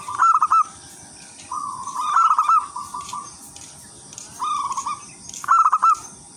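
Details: Local wild zebra dove singing actively with a melodious rhythm, used as a lure for other zebra doves; four mid-pitched cooing phrases, some smooth and level, others breaking into quick stuttering notes, over a faint steady high hiss.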